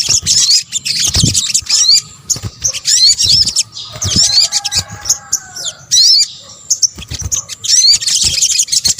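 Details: Sunbird calls combined for luring birds, from Indonesia: dense high twittering chatter broken by sharp upslurred whistles and quick downward notes, with gaps of near-silence and a low buzzing hum in places.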